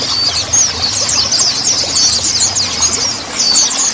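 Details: Mountain white-eye song meant to get young, untrained birds singing quickly: a steady stream of thin, high, rapid twitters and short trills running without pause, with a faint low hum beneath.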